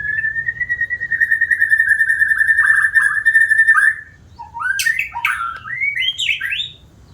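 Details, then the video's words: Caged white-rumped shama (murai batu) singing diligently: a long sustained whistled note held near steady pitch for about four seconds with slight wavering, then a burst of varied rising and falling whistled phrases. "Burung murai batu rajin bunyi"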